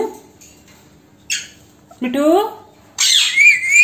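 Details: Indoor pet Alexandrine parrot, female, talking in Hindi with the phrase "Mitthu beta": a short click, then a swooping voice-like syllable, then a loud harsh squawk with a rising whistled edge.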